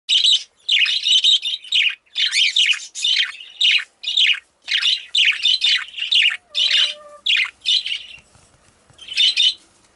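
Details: A female budgerigar gives a rapid series of harsh, chattering chirps in quick bursts.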